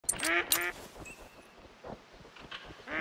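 A mallard gives two loud, nasal quacks in quick succession, then falls quiet before a softer quack starts at the end; faint background rustle.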